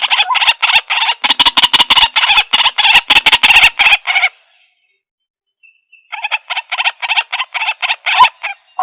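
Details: White-breasted waterhen giving a rapid, dense chatter of harsh notes for about four seconds, a silent gap, then a further quick run of clipped calls.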